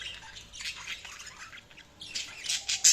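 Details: Budgies giving scratchy chirps and squawks, soft and scattered at first, then a louder, denser burst of harsh chatter over the final second.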